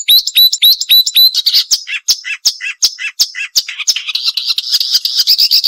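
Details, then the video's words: Marsh warbler singing a full, varied sharp song meant as a model for murai and kacer: fast repeated high whistled notes, then mixed chattering and buzzy phrases. "Masteran Burung Suara Tajam - Masteran Nembak Tajam - Mars Warbler"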